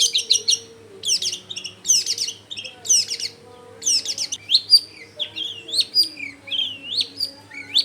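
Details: Long-tailed shrike song used as a lure to get other shrikes to answer, recorded in a crowded residential area: bursts of harsh, scratchy, high notes and varied chirps in quick phrases, over faint low steady tones and background hum.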